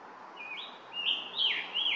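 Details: Scarlet tanager at Stony Brook Audubon Wildlife Sanctuary, south side trail, captured with a Nikon Coolpix P1000: a chain of five burry, up-and-down whistled phrases, quiet at first and then louder and harsher in the second half.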